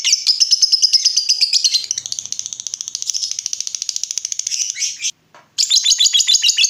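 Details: Long lovebird ngekek played to make other lovebirds answer: a continuous fast chattering trill of high, slightly buzzy notes pulsing evenly for about five seconds, a brief break, then the rapid chatter resumes.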